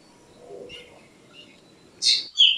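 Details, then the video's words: Black drongo: after a quiet start, one harsh, buzzy burst, then a sharp ringing note that slides downward, both near the end. "Black Drongo Song ! Black Drongo Call ! Black Drongo Sound ! Black Drongo Vocals ! Voice ! Singing"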